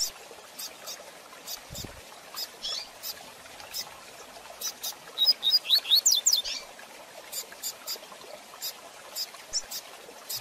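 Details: Double-collared seedeater song in the fast Tui Tui Zel Zel style, used as a training recording to teach young birds: one quick burst of high, sharply slurred whistled notes lasting about a second, over steady faint crackling clicks.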